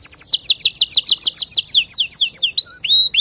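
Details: Male canary singing to teach young birds: a rapid series of downslurred high chirps, about three per second, ending in a few drawn-out rising whistles.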